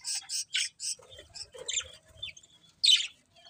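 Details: Budgerigars kept as pets: a quick run of high chirps, then softer warbling notes and a final loud harsh chirp.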